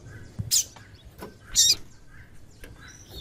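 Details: Female double-collared seedeater calling to excite and stimulate a male to sing: two sharp, high chirps about a second apart, with faint lower noise between.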